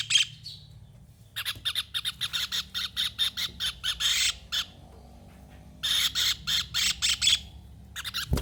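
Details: Javan kingfisher producing loud bursts of harsh, screechy notes in quick rattling sequences, with a pause of about a second between groups and a sharp knock at the very end.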